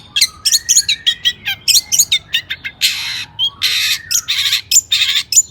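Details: Agitated long-tailed shrike song used to provoke other shrikes: quick chirps and slurred whistles, then several long harsh rasping squawks.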